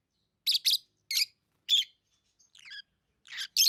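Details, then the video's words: Lovebirds kept as tame pet birds chirping: short, harsh, broadband chirps in quick bursts of one or two, a thinner wavering twitter in the middle, silent gaps between the calls. "Love birds Sounds | lovebirds chirping sounds"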